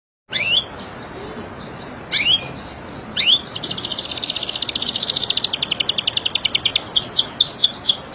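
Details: Canary singing: sharp downslurred whistles at intervals, then a long buzzy trill that breaks into rapid, evenly repeated chips growing louder toward the end.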